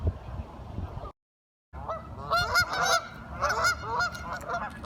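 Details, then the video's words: Curious ducks calling after a brief silence: a busy run of nasal, harmonic quacking and honking notes, several birds overlapping. "Duck Sounds - Curious ducks talking"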